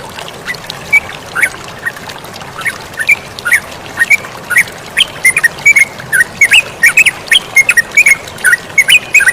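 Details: Chattering sooty-headed bulbul with flowing water behind it: scattered soft notes build into a dense, busy stream of squeaky, slurred chirps in the second half, over a steady rushing hiss.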